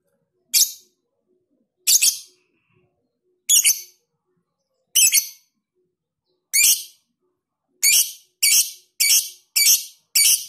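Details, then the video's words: Lovebird performing long ngekek with close gaps, as a tutoring recording: a series of about eleven harsh, shrill chattering bursts, first spaced over a second apart, then quickening to roughly two per second toward the end. "Masteran Lovebird Ngekek panjang jeda RAPAT"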